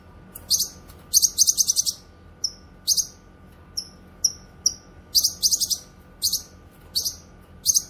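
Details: Cucak kinoy (grey-cheeked bulbul) song for tutoring and luring: a quick rattle of shrill high notes, then spaced single whistles mixed with bright paired chirps, alternating to the end.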